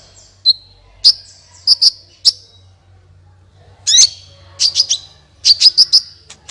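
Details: Lure sound of a sunbird for stimulating other birds: scattered piercing high chirps, then a grating note and a rapid cluster of bright, twittering tweets toward the end.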